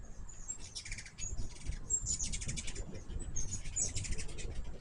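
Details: Hummingbirds visiting a home feeder of hummingbird water: bursts of rapid, very high, squeaky chittering chips in short clusters about every second, with a thin high whine between bursts over a low background rumble.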